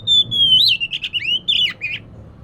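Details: Oriental magpie-robin singing to lure a reluctant bird into song: a loud, sustained, slightly wavering whistle followed by quick rich warbles and slurred notes, ending abruptly, with low hum beneath.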